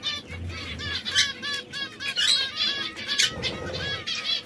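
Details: Three canaries, one red, one yellow and one brown, which sometimes quarrel, sing at once in bright, high, rapid trills and chirps that tumble over each other, with soft wing flutters and a low rumble beneath.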